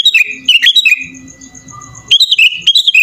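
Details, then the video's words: Sooty-headed bulbul singing in the full-isian gacor style: quick, sharp chirped phrases in two bursts separated by a quieter gap holding a faint steady tone. "SUARA BURUNG KUTILANG GACOR FULL ISIAN"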